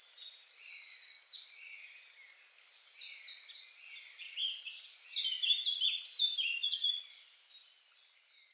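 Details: Song of a Eurasian Blackcap recorded through a homemade parabolic dish microphone: a rich, hurried warble of high twittering and slurred notes, swelling into a louder, fuller, more fluty passage near the middle before fading out.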